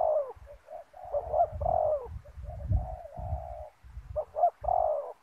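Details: Spotted dove used as a decoy to lure wild doves to a ground snare trap: low hoarse cooing phrases repeated in quick succession, with low thumping and rustling noises throughout.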